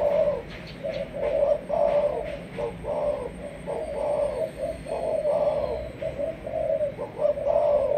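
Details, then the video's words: Malaysian spotted dove, a 'sấm thổ' bird for decoy training, cooing in a long steady series of mellow hoarse notes, with a faint constant high-pitched whine and soft background noise. "Lên em sấm thổ cho ae về tập mồi"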